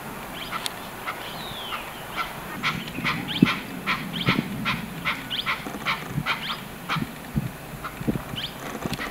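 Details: Chukar partridge from a small flock of about 20 birds at Lansdowne, Uttarakhand, giving harsh, clucking chuck notes, about two to three a second in an uneven series, over a low background rumble.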